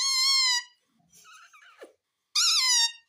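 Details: Ringneck parrot, a talking bird that says "mummy": two loud sustained nasal, buzzy-harmonic notes with soft mumbled chatter and a brief downward squeak between them.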